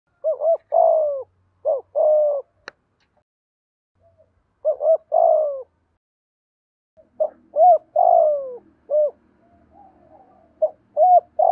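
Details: Spotted dove cooing, played to train and stimulate decoy doves: low hollow phrases of two short coos and a longer falling rolled coo, repeated in groups with silent gaps between.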